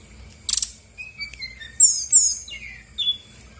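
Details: Brown-chested jungle flycatcher (SRDC), female, Bali, in lively song used as a lure to stir silent birds into singing: a buzzy high burst, then clear whistled notes sliding downward, a rippling trill and a final falling whistle.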